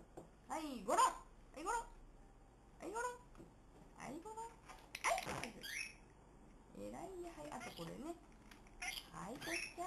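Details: A pet white-bellied caique performing a string of tricks, giving short, squeaky, chattering calls that sweep up and down about every few seconds, with quiet room sounds and possibly a voice in between.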